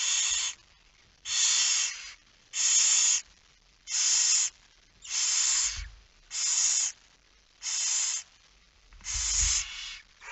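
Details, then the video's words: Hissing barn owl at a nest during night feeding, 22:45 on 10 September 2019: a steady series of eight snoring, rasping hisses, evenly spaced about every 1.3 seconds, with faint low thumps. "Kerkuil It Fryske Gea 2019 09 10 22 45 voedering"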